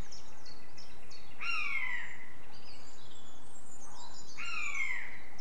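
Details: Common buzzard (Buteo buteo) giving two drawn-out, descending mewing calls about three seconds apart, with high chirps of small birds and a low background rumble.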